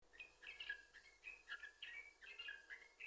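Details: Yellow-vented bulbul song used as a lure to get other bulbuls singing: bubbly, fluty notes jumping between two pitch levels in quick phrases, with short pauses between bursts and faint background hiss.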